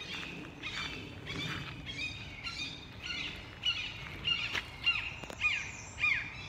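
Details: Red-shouldered Hawks near their nest in a Connecticut Audubon woodland sanctuary, agitated, giving harsh, repeated, slightly downslurred screams, nearly two per second, with faint chirps from other birds and a low rumble of outdoor noise.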